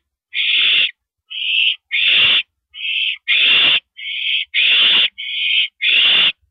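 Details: Mouse delivery on April 13 2012 at 9:17 PM with an owl giving a rapid run of nine hoarse, hissing screeches, short and long bursts alternating, over six seconds.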